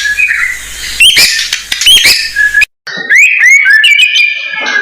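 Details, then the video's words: A lure recording for training young white-rumped shamas: loud metallic chips and hooked whistles, a brief silent cut, then a rippling run of rising and falling whistled notes with squeaky overtones. "Murai Blorok Gacor Bongkar isian Pancingan Burung Murai Batu Bahan"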